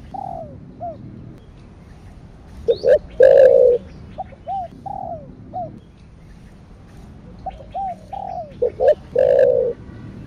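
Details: Spotted dove, a cooing style named Thổ đặc thúc kích bổi (thổ sấm): low cooing notes in short phrases, a few brief slurred coos then a longer, louder held coo, the pattern repeated twice.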